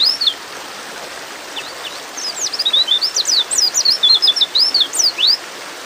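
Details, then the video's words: Breeding-mood female white-eye calling for a male: a few scattered high notes, then a fast, lively run of thin down-slurred whistles and chirps. "terapi pleci bikin cepat ngalas"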